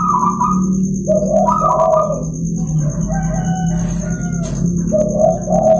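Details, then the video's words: Local zebra dove morning song meant to lure and train other doves: repeated soft cooing phrases alternating higher and lower tones, over a loud low droning hum and a thin steady high whine. "Suara Terapi Perkutut di pagi hari agar cepat gacor"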